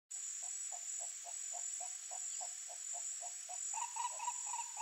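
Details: Wild green ibis, a free bird: a series of low, rolling pulsed notes, about three to four per second, runs through the whole clip, with a steady high insect drone above it.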